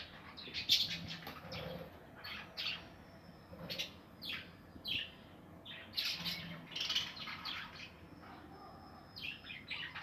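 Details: Budgerigars in a 2020 breeding aviary holding nests: steady flock chatter of squawky chirps and whistled notes in uneven bursts throughout, with soft lower murmurs beneath.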